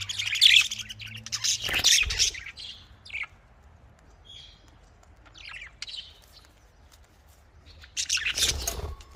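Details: Kept budgerigars, called Australian parrots, chirping in short bursts: bright, scratchy warbles at the start, near two seconds and again near the end, with quieter gaps between and low background hum.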